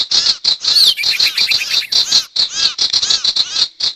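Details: Sirtu calls from a recording used to lure wild birds into traps, steady fast chatter of scratchy, arched notes, several per second, with overlapping voices throughout.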